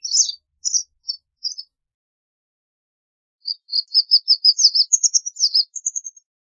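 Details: Singing white wagtail, Motacilla alba: four spaced high chirps, a pause, then a fast twittering series of about a dozen thin notes, rising toward the end into a few higher whistled notes.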